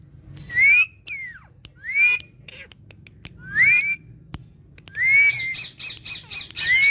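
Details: Green talking parrots interacting; loud rising whistled notes, some with rough buzzy edges, repeat roughly every second or so, separated by short pauses and faint clicks.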